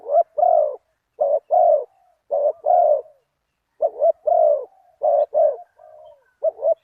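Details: Spotted dove cooing during decoy luring aimed at a target bird, with a big voice and a one-kuk style. Its soft, hollow coos come in pairs and triplets, and the phrases repeat steadily over several seconds. The background is quiet.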